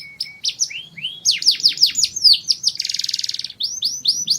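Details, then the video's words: Mushti canary singing to excite females before mating: a series of loud descending swoops, a short dense buzzy roll, then more falling swoops. "أجمل تغريد كناري موشتي ⚡️⚡️ O tweet mais bonito Canary Mushti"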